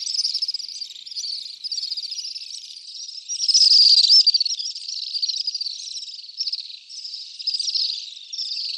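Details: Common swifts screaming in a long chain of piercing, buzzy trills, repeated rapidly and unevenly. A loudest burst comes near the middle.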